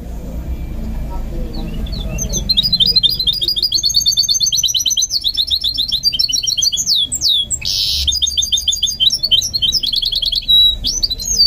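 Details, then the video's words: Goldfinch mule in song training starts softly, then builds into a lively stream of high twitters and looping whistled slurs, with a brief harsh buzz midway. "Training My GOLDFINCH Mule to Sing"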